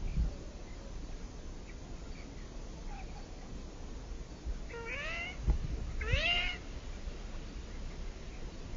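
Ringed teal gives two soft, mewing calls about a second apart, each sliding up then down, over a steady low rumble of background noise.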